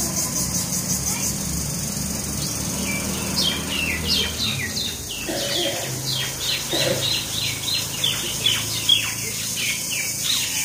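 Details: Brawling common mynas in rural Keraniganj, Dhaka, Bangladesh: chattering, descending scratchy notes that grow busier after a short lull, with a few lower tones mixed in.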